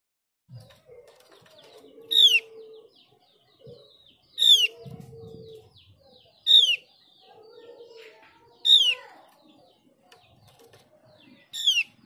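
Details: A Javan grey-throated (Mees's) white-eye, played as a lure recording to get other birds singing, gives bright, high, tumbling phrases of descending notes about every two seconds, over a faint low hum and scattered background noise.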